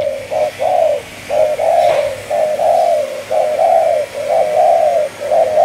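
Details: Young captive spotted dove of the Malaysia strain, aged two months, singing its 'chiêu di chuyển' style: loud, clear bursts of soft coos grouped in twos and threes, repeated about once a second in a quiet room.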